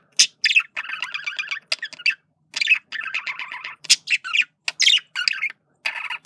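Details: A male parakeet courting with a busy, scratchy chatter: clusters of buzzy warbled notes alternate with sharp high chirps and brief gaps.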